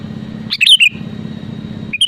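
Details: Sooty-headed bulbul (kutilang) in energetic song to provoke rivals: one rich, rapidly warbled whistled phrase falling in pitch, then the start of another, with a continuous low hum behind.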